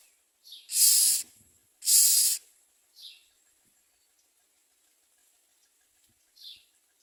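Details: Common myna feeding its young: two loud, rough, hissing bursts back to back, followed by softer short nasal notes and quiet pauses.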